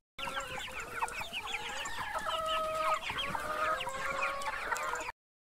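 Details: Several farm chickens calling at once: overlapping clucks and longer, drawn-out nasal tones make a busy, continuous chorus that starts and stops abruptly.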